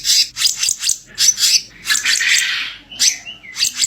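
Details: Black-naped monarch, kicap ranting, in a masteran recording of its rough kicau kasar chirping: dry, rasping bursts repeated about every quarter second, a longer scratchy run, then a few short swooping whistles near the end.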